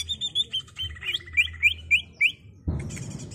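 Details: Captive greater green leafbird singing in the continuous rolling ngerol style, used to train untrained birds: a string of short slurred whistles, many rising sharply, about four per second, ending in a sudden burst of broadband noise.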